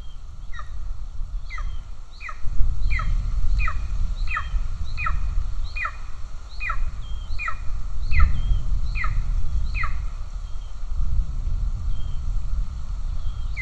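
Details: Golden eagle at the nest in Estonia on 7 July 2024, during a food delivery. Short, high, downward-sliding calls with harmonics repeat roughly every 0.7 seconds in bursts, over steady low wind rumble.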